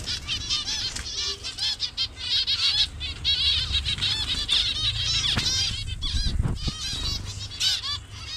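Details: A Bangladesh colony of colour-variant zebra finches keeps up a dense chorus of nasal honking beeps, about one or more per second, with a low thump and rustle of movement near the middle.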